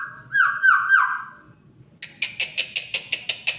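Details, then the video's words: Black-naped oriole: a looping, liquid whistle with three quick upward flicks, then a run of about eight harsh, nasal, evenly spaced rasping notes. "Burung Kepodang"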